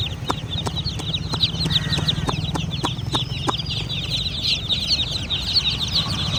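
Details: Baby chickens give a busy chorus of high, short peeps, with sharp tapping clicks and a low hum in the background.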